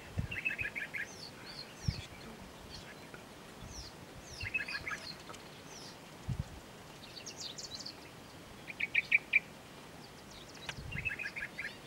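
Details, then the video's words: White-spectacled bulbul (Pycnonotus xanthopygos) at a drinking trough at Ayn Tobruk, Salalah, Oman, on 21 February 2016: bursts of quick, sharp chirps in short groups recurring every second or two, with soft knocks and background hiss. "White-spectacled Bulbul"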